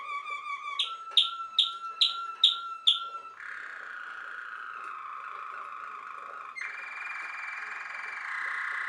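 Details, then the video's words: Song canary, a bird bred for its sweet singing ability: five sharp downward-swept notes each followed by a steady tone, then long sustained buzzy rolling trills at mid pitch shifting higher near the end. "List of Song canaries singing : Bred for their sweet Canary singing ability"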